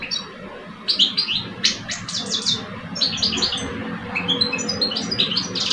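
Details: Male European goldfinches, one mature and one two years old, duel in song from cages in Algeria. After a quiet opening, sharp tinkling notes and buzzy twitters build into a steady chattering stream, with a low background hum.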